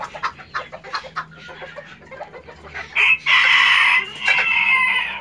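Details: Hen laying an egg: a few quick clucks, then loud, harsh, drawn-out cackling notes from the third second onward, close and dominant.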